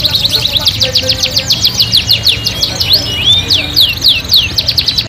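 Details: Canary song, loud and lively: rapid rolling chatter of high, steeply sweeping notes, about three or four per second, with a brief rising whistle in the middle and soft low hum behind.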